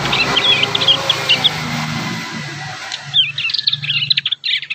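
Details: Young prinias still learning their song utter brief strings of sharp, high twitters, a pause, then a fresh rapid cluster of chirps against a low background hum.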